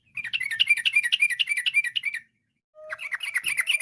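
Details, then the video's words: Varied rapid-fire song of a yellow-vented bulbul, meant to prompt other bulbuls to sing; a two-second run of quick, bubbly chattering notes, a brief gap, then a second fast burst. "TRUCUK GACOR, ampuh memanggil trucuk lain ikut bunyi, kicau trucuk berfariasi, trucuk ropel gacor"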